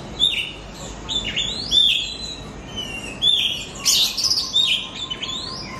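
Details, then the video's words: Kacer, or Oriental magpie-robin, singing in a training lure meant to make pet birds sing more: clear whistled phrases with upward-sweeping slurs roughly every second, a loud harsh burst near four seconds, and faint background noise. "PANCINGAN KACER BAHAN BARU BELAJAR BUNYI"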